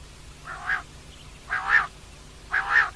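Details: Female common quail giving three rasping, two-part calls, each swelling to a stronger second half, spaced about a second apart over a low hum.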